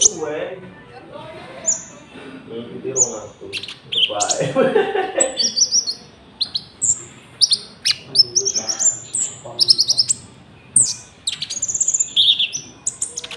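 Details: Konin song from a lure recording for luring wild birds and tutoring caged ones, with cricket sounds mixed in: a lively run of high chirps, slurred whistles and quick trills, dense and varied, over a soft low rumble.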